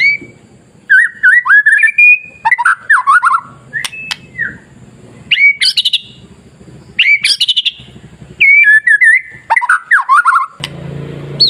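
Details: Masteran song of a white-rumped shama, used to goad other shamas into singing. Rich whistled phrases with looping slurs and high upward sweeps come in bursts separated by short pauses, with a low hum at the end.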